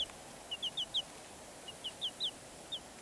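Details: Peeping from Black Cochin chicks: brief high descending cheeps, about eight within three seconds, in loose pairs and singles against faint background noise.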